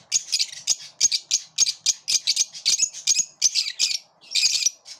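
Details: Shrill, scratchy chirps from a group of lovebirds pushing each other away, repeated in a steady string about every quarter second, ending in a denser burst of harsh chatter.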